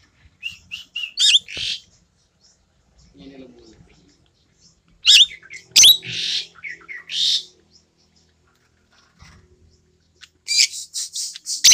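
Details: Tame Asian glossy starling in full voice, a bird also used for tutoring others: clusters of clear, shrill whistles and rough buzzy notes, separated by quiet pauses of several seconds with faint low chatter between.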